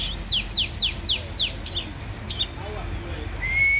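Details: Oriental magpie-robin, called a warrior bird, sings five rapid downslurred whistles in a row, then scattered sharp notes and two long clear rising whistles, over faint low background noise.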